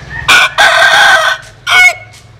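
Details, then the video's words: Bantam rooster, a cross of a Japanese bantam hen and a Cuban father, crowing loudly up close: a short harsh burst, then a long strained harmonic crow, then another brief burst and a faint tail. "Gà Tre Jap Cuban Tiếng Gáy Rất Sung"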